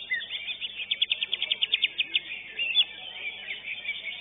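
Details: Contest-winning greater green leafbird at a singing competition delivers a quick series of about a dozen sharp, evenly spaced high notes, then scattered chirps over a busy chorus of other competing birds.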